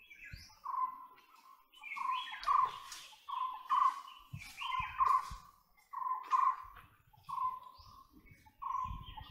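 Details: White-bellied woodpecker uttering a long sequence of loud, level, slightly harsh notes at a steady pace of nearly one per second, over scattered higher bird chirps and low knocks.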